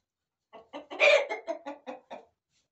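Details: Farmyard chickens, hens and roosters in a corral, cackle in a quick series of about eight clucks, the third stretched into a loud harsh squawk.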